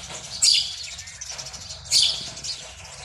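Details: Courting male house sparrow at a nest box, early morning in February at the start of breeding, gives two emphatic, scratchy cheeps about 1.5 seconds apart, faint twittering in the background.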